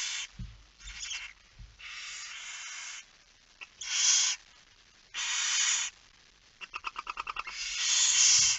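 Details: Barn owl at the nest during a night feeding, 10 September 2019, 22:45: harsh, breathy hissing bursts of uneven length, then a quick run of short clicking pulses and a final long hiss.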